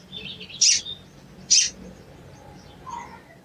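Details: Two abrupt, very high chips from a sooty-headed bulbul, a cuit cuit call used as a lure to make a quiet bird sing, with a faint softer note afterwards.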